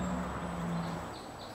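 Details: A hummingbird hovering within inches of the microphone makes a steady, low wing hum, about 60 Hz at roughly 30 wingbeats per second, for about a second. The hum then fades, leaving a faint rumble of background noise.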